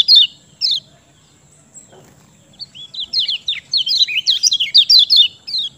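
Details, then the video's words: Song of the lemon-bellied white-eye (kecial kuning), played to make quiet birds sing: two high introductory notes, a pause, then a long, quickening series of sharp, twittering, downslurred whistles. "Ciak Joss Kecial Kuning Ampuh Bikin Gacor Pancingan Kecial Malas Bunyi"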